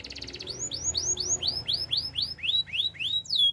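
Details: Canary song meant for training: after a brief buzzy opening, a fast run of identical upward-sweeping whistled notes, about four per second, ends in a higher swooping note over faint low background hum.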